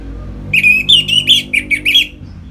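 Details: Orange-headed thrush in energetic ngeplong song for stimulating other birds into breeding condition: a quick string of about eight rich, slurred whistled notes within a second and a half over a soft background hum.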